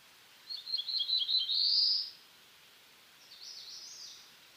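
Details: Black-throated blue warbler from eastern North America singing a buzzy phrase of several short notes that rises into a drawn-out buzzy ending, followed by a fainter, higher buzzy phrase.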